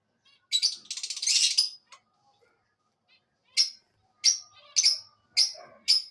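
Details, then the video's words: Shouting pet parrot giving a dense burst of rapid high chirps, a pause, then five sharp separate chirps at roughly half-second intervals. "shouting parrot"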